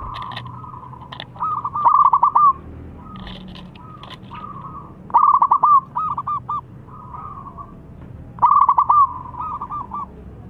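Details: Zebra dove of a local strain singing as a lure for mute doves: three bright phrases of rapid stuttered coos ending in longer notes, roughly every three seconds, with quieter cooing and light clicking in between.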